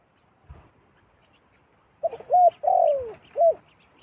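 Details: Zebra dove call: after a quiet start, a phrase of four mellow cooing notes, one long and drawn out with a falling end, then a short final coo.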